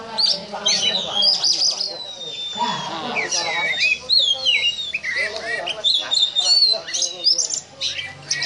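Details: Oriental magpie-robin (kacer) caged songbird performing the ngobra style, compared to a snake: long clear downslurred whistles, twisting high notes, rasping chatter and harsh bursts in a rich, rapidly shifting sequence.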